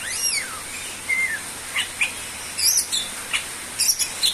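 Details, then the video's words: Greater green leafbird singing gacor-style as a lure for other birds: a downslurred whistle and a short warbled phrase, followed by scattered sharp high chips and ticks. "sura burung cucak ijo gacor cocok untuk pancingan"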